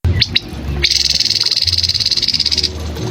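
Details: Grey-headed canary-flycatcher song, recorded for training cagebirds: a dense, buzzy trill of rapid even pulses about 1.8 seconds long, with two short sharp notes before it and a steady low hum underneath.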